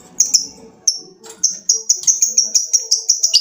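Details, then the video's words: Lovebird giving a long ngekek chatter to call a rival: short high buzzy notes, sparse at first, then a steady run of about ten repeated harsh chirps over the last two seconds, with faint low background sounds. "Suara burung lovebird ngekek panjang | Memanggil lawan"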